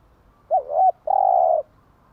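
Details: Single morning cooing phrase of a spotted dove, used to excite caged doves to coo: a pair of short rounded hoots, a brief pause, then a longer steady, purring coo.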